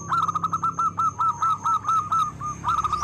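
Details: A zebra dove of local stock, loud and eager to sing, repeats short rolling coo phrases almost continuously, about three per second, with a steady high thin whine in the background.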